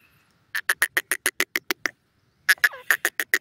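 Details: Caged Irani teetar partridges in a fight: two quick trains of evenly pulsed, clucking notes, about eight per second, separated by a short pause.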